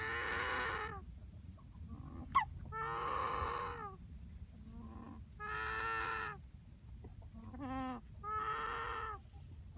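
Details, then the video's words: Young cockerel making an unusual noise after dark: drawn-out, harsh, nasal calls about a second long, repeated four times with short higher squeaks between them, over a low background hum. "Chicken making strange noise"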